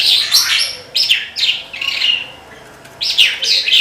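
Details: Lark delivering lively song phrases of buzzy, slurred and trilled notes in quick succession, with one short pause before the singing resumes.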